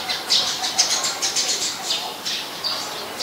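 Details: Rapid run of sharp, high chirps from a Eurasian tree sparrow (Passer montanus) in Ubon Ratchathani, Thailand, 10 May 2020, about two per second and unevenly spaced, over a hissing background.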